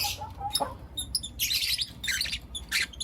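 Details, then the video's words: Lutino lovebirds, four young birds, calling in the morning: loud, grating broadband chirps in short bursts, several overlapping, over a steady low hum. "Lutino LoveBird Chirping Sounds - four Cute LoveBird Kids"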